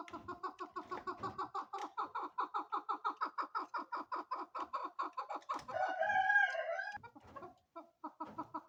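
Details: Female chukar partridge giving a steady run of clucking chuck notes, about three per second, then a brief louder wavering squeal before the clucks resume.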